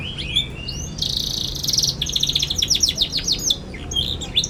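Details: Young canary singing as a model for juvenile canaries learning: a few soft chirps, then a harsh buzzy trill followed by a fast run of sharp repeated notes, ending with scattered chirps.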